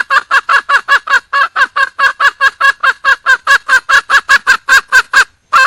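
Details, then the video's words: Wild junglefowl hen seeking a male: a fast, slightly uneven string of around twenty-five clipped nasal clucks, then a brief pause and one more note. "le bruit d'une poule sauvage,เสียงไก่ป่าร้องหาถู่หาตัวผู้,ສຽງໄກ່ປ່າຮ້ອງຫາຄູ່ຮັກ, poj qaib qus see"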